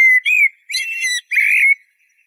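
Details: Eurasian blackbird song: three fluted whistled phrases near the same pitch, the last one richer and warbling, with brief gaps between and a clean silent background.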